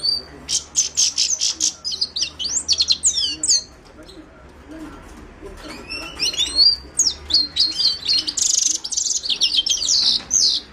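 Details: Himalayan goldfinch singing a fast, twittering song of high buzzy and whistled notes in rapid bursts, with a short pause near four seconds before the chatter resumes.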